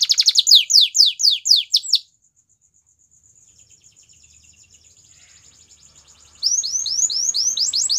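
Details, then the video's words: Training song of a Belgian canary: about two seconds of repeated falling sweeps, a long near-silent stretch with a faint thin tone, then a loud rapid series of rising notes. "Belgian Canary Song Makes Your Canary Singing Again"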